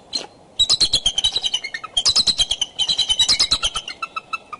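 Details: Bald eagle pair in serious courtship at the Decorah nest on the morning of 2 February 2012, calling from branches. Fast, continuous strings of high piercing notes tumble down in pitch, two long runs ending in spaced single peeps.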